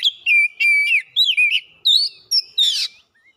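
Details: Oriental magpie-robin giving fast, full song with learned phrases, used to trigger other kacer birds; rolling, slurred whistles rising step by step in pitch, capped by a harsh noisy burst and a soft trailing note.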